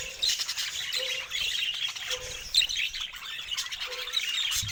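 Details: Pet budgerigars talking and singing: dense, continuous chirpy warbling with bright tweets and scratchy notes, plus a soft low humming tone that recurs roughly every second and a half in the background.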